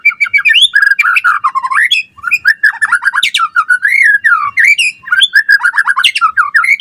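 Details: White-rumped shama in full gacor song for pancingan and masteran: a continuous dense stream of warbled, slurred whistles and rapid trills, rising and falling without pause.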